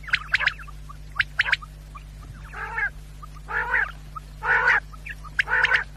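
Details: Quail calling, a sound meant for hunters at night: sharp ticking notes, then a run of grating, nasal bursts repeated roughly every second, with a steady low hum in the background.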